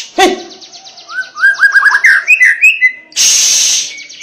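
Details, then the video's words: White-rumped shama in persistent, provoking song: a low harsh note, then a run of rising whistled notes climbing higher, cut off by a burst of loud hissing noise. "Murai Batu Lain AUTO GACOR Terpancing dengar KICAUAN Murai Ngotot seperti ini"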